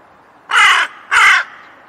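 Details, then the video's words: Two hoarse, grating crow caws in quick succession, each roughly a third of a second long, strong and raspy with no other sounds around them. "Canto do Corvo Som do Corvo"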